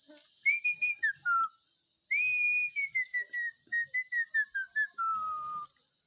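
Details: Pet bird singing indoors: long pure whistled notes sliding gently downward, broken into bursts of short repeated whistles, with a pause before a second longer descending whistled phrase.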